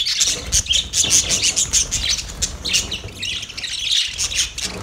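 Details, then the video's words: Budgerigars in a mating context: lively, scratchy chirping with small whistled squeaks mixed in, almost unbroken throughout. "Parrot mating sound"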